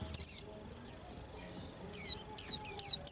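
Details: A few scattered high, down-slurred chirps from a white-eye preparing to moult, separated by gaps, over a soft background hiss.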